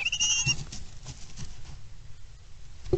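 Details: On 23 April 2022, a male little owl brings a mouse to a nest box in a prey handover, giving one brief, high, thin call in the first half-second, followed by dull bumps and low rumbling.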